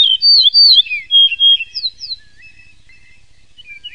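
A yellow-breasted bunting sings a loud phrase of clear, slurred whistles lasting about a second and a half, then trails off into softer, scattered high notes.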